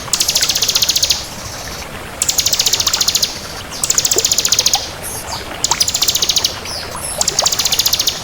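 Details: Crystal bar-winged prinia singing actively: five bursts of rapid, very high ticking trills, each about a second long with short pauses between, over a steady hiss.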